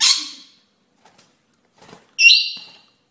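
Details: A rainbow lorikeet gives two harsh, high screeches about two seconds apart, with a few soft clicks between them.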